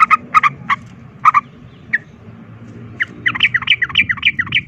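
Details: Sooty-headed bulbul giving a fighting song used as a lure to provoke other bulbuls into fighting: bright paired chirps in short bursts, then a fast run of about nine rising, slurred whistled notes, with low background rumble.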